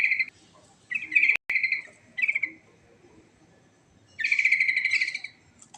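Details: Sooty-headed bulbul delivering its fast rolling ngerol song, richly filled: loud bubbly, warbled phrases in bursts about a second apart, ending in a longer tumbling run of chattering notes, with a brief dropout midway and little background noise.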